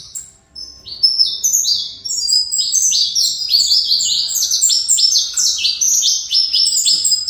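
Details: After a quiet start, a breeder's saffron finch launches into fibra-style song: a fast, steadily building cascade of piercing downslurred chirps that keeps going to the end.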